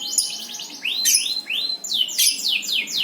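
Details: Singing bird: rapid trills of high downward-sweeping notes, some rising slurs, fast and varied phrases.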